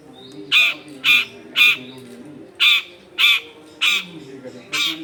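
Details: Long-tailed shrike used as a lure for wild shrikes, recorded in a crowded residential setting: loud, harsh, rasping notes repeated about twice a second, seven in a row, with slightly uneven timing.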